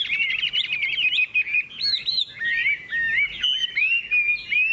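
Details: Contest-singing Hwamei, a bright yellow bird with a big tail and wing display, alternates a fast trilled burst with drawn-out rising and falling whistles, repeated in short phrases separated by brief silences.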